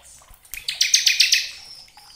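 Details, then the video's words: Brief bar-winged prinia phrase of the crystal ciblek type, used as a lure: a short, fairly soft burst of rapid ticking notes rising into a buzzy rattle, then fading. "Pancingan ciblek agar cepat bunyi gacor ngebren belum 1 menit sudah respon nyaut"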